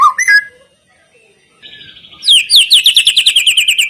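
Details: Song of a white-rumped shama meant as a lure to prompt other birds to sing: a few short notes, a quiet gap, then a fast trill of about ten sharp, high repeated notes.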